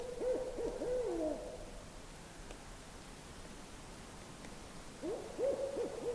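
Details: A Barred Owl on a clear night in the far north gives two bursts of low, wavering hoots with sliding, bending notes, about four seconds apart, over a quiet night background.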